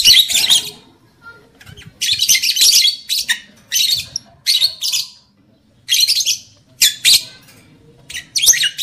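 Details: Lovebird sounds meant to stimulate breeding, arousing the male and bringing the female into condition: repeated bursts of shrill, buzzy squawking chatter, roughly one burst every two seconds, with brief quiet gaps between.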